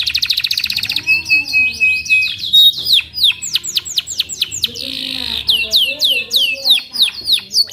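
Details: Loud, clean canary song: a rapid rattling trill, a steady high whistle, then a long series of bright descending and rising sweeps, a harsh buzzy burst, and more fast varied phrases.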